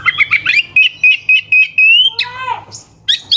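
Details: Oriental magpie-robin singing to provoke rivals: a fast run of repeated buzzy notes on one pitch, about four a second, then descending whistled slurs and a short high phrase.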